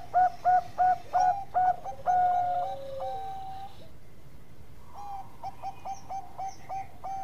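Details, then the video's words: Bangkok-type zebra dove singing actively, recorded as a training master: about six clipped, mellow coos in quick succession, then drawn-out level tones, a pause, and a softer series of short hooting notes. "Perkutut Bangkok Gacor Ampuh buat masteran"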